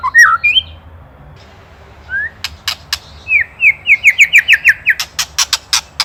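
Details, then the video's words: Shama from Indonesia, used as a songbird training master: scattered short whistles, then dry ketrekan clicks and a steady series of about ten quick, rising whistled notes with clicks between them. "LANGSUNG EMOSI | KETREKAN PREDATOR | MASTERAN MURAI | SHAMA BIRD INDONESIA"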